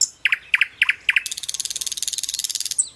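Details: Common nightingale singing in a tutor recording for training cage birds: four paired clicking notes spaced about a quarter-second apart, then a long rapid dry rattle at roughly ten notes per second and a final high whistle.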